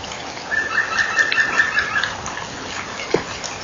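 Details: At 20:11 on 18 April 2012, a nest-wall camera records a European green woodpecker's laughing yaffle, a quick run of about nine ringing, even-pitched notes, then a single dull knock over a soft hiss, as a kingfisher suddenly flies out of its burrow.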